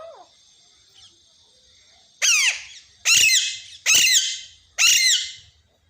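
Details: Talking parrot, credited with saying "mummy mummy": after a faint short note, four loud harsh squawks come about once a second, each a bright noisy burst sliding downward and ending abruptly.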